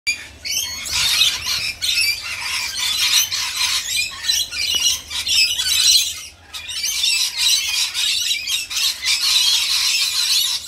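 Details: Rainbow lorikeets being fed, a dense flock giving harsh, screechy squawks and chattering shrieks almost without pause, the noise swelling and dipping in waves throughout.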